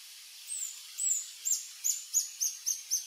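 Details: An adult male Reddish Hermit singing on a lek on Sentier des Americains, French Guiana, 1 March 2024 at 15:03, gives about eight thin, very high, arched squeaky notes, spaced then quickening to about four a second, over faint hiss.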